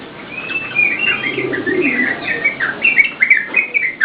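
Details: Yellow-vented bulbul singing vigorously, a recording used to lure and tutor cage birds; starts quiet, then short slurred whistled phrases rise and fall in quick succession, some notes bubbling, with a soft hiss underneath.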